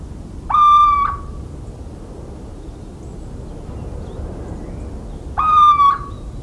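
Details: Little owl in the countryside of central France on 17 March 2019, giving two drawn-out mewing hoots about five seconds apart, each level then slightly falling, over a low background rumble.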